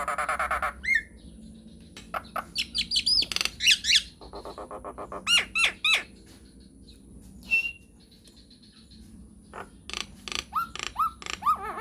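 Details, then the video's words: Nias hill myna, a chatty bird, in long continuous song, gives loud, varied whistles, squawks and rising fluted notes in rapid bursts, with harsh chatter between phrases. "JALAK NIAS GACOR NGEROLL PANJANG"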